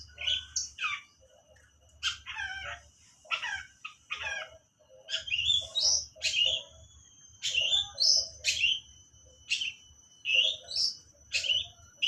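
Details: Long-tailed shrike imitating lovebird song, giving clusters of sharp chirps and upward-sweeping whistled notes in loose groups, with short gaps and a low background hum.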